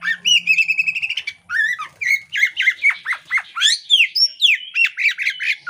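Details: Breeding-condition female Oriental magpie-robin spreading her tail: rapid repeated whistled notes, then a lively run of varied downslurred and rising whistles and chattery phrases, steady and loud, faint low hum beneath.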